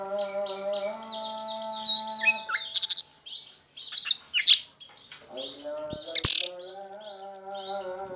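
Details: Orange-headed thrush, original 'teler' song used to coax non-singing birds of its kind: rapid varied chirps, high sweeping whistles and buzzy notes, with a low humming drone and a few clicks.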